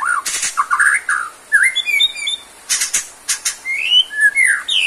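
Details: White-rumped shama in full song, intended as therapy for birds that have lost stamina: loud rich whistles, slurred rising and falling notes and harsh noisy bursts in quick alternation.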